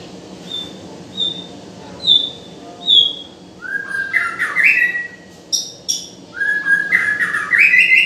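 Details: White-rumped shama singing: a few thin high whistles at first, then loud varied phrases of rising and falling whistled notes mixed with sharp chips, several bursts in quick succession.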